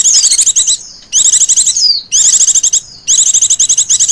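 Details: Rapid chirping of a female Oriental white-eye, a ngecir lure call for attracting birds, delivered in four dense bursts of quick high notes with occasional falling whistles between them.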